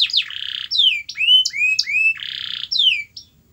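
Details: Canary song played to encourage a silent canary to sing, mixing buzzy sustained trills with looping upslurred whistles and descending sweeps in quick succession.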